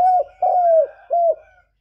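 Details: Spotted dove decoy cooing against a wild bird: three deep, smooth coos in under two seconds, the middle one longest and sliding slightly downward.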